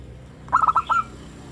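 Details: Local zebra dove with a 'crystal' voice, used as a lure to make captive doves sing: a single short phrase of four quick stuttered coos and a final drawn-out rolling note.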